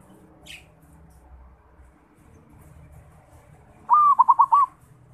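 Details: Young local zebra dove from Bali practising its song: near-silence broken by one short, loud phrase of five bouncing, rolling coo notes at the end.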